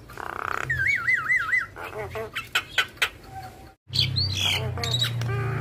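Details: Actively singing Javan myna, recorded as a master track for teaching other mynas and full of varied fill phrases. A wavering, undulating whistle is followed by mixed chirps and squeaks, a brief silence, then rising notes over a low hum.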